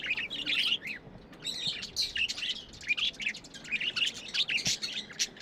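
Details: Pet budgerigars keep up a dense, lively warble of rapid high chirps and twittering notes, rising and falling in quick bursts with barely a break.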